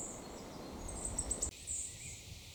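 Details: In June 2024 at the woodland edge of Gilfach Nature Reserve, mid-Wales, a wood warbler gives its characteristic song: a thin, high, shivering trill that speeds up briefly, then a short high phrase, over low rumbling.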